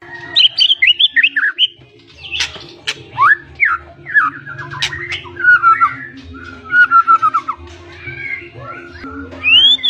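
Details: Blorok White-rumped shama delivering chattering song full of fills: scattered whistled slurs, sharp clicks and descending notes, then quick repeated whistles, ending on a rising whistle, with a steady low hum behind.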